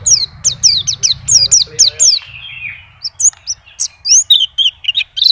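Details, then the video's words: Continuous white-eye singing showing its fill-in phrases: a quick series of steep downward-sweeping high chirps, a short lull with softer warbling, then scattered bright whistled notes again. "PLECI NGACOR ‼️BONGKAR ISIAN"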